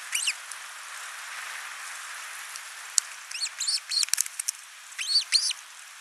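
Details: Ospreys at a nest in Finland on 29 June 2024, father with a large live fish, mother feeding the one chick; repeated piercing, whistled upslurred chirps in several bursts, mixed with light clicks over a hissy background.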